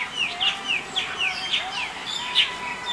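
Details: In February 2021, a Sooty-headed Bulbul gives quick, bright, downslurred chirps, several per second in an uneven run, over a faint background hiss.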